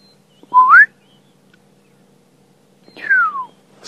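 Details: Black-headed oriole (Oriolus larvatus) singing in the sunrise dawn chorus on an African safari drive: two liquid whistles, the first sliding upward, the second falling, about two and a half seconds apart, over a faint low hum.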